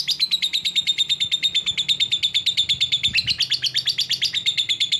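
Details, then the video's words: Lovebird sound meant to call rivals: a loud, continuous, rapid chattering trill, about three notes a second, steady and high-pitched throughout. "Burung LOVEBIRD Ampuh memanggil lawan"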